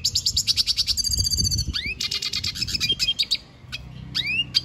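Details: Red siskin in full song, rapid high chattering trills broken by quick upward-sweeping whistles and short buzzy phrases, a short pause near the end before the song resumes.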